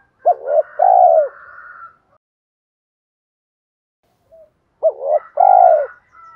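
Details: Spotted dove used as a decoy to attract wild doves, giving two coo phrases about four and a half seconds apart, each a short double note and a long falling coo.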